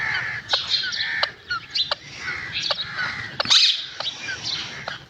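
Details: Green talking parrot making a busy run of scratchy chatter: short harsh squawks, rapid clicks and brief whistled notes, with one louder rasping burst near the middle, then quieter chatter.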